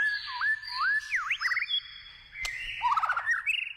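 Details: White-rumped shama singing in the wild, forest setting: swooping whistled notes that dip and rise in smooth loops, a quick zigzag phrase, then a jumbled burst of rapid warbled notes after a sharp click.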